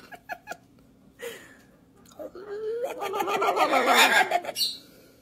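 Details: A pet macaw does its morning rawr with a person: harsh, rasping rawr sounds swelling and rising over about two seconds, mixed with the person's voiced rawrs and a few soft clicks beforehand.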